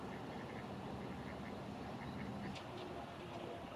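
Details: An Eastern Spot-billed Duck on a cloudy, cool day on 24 April 2022 gives a series of low, hoarse quacks in quick succession over a steady background rumble.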